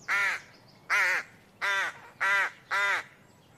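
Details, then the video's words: Five loud, raspy caws from a bird, evenly spaced about every half second, each call coarse and slightly wavering in pitch. "Birds Chirping Sounds"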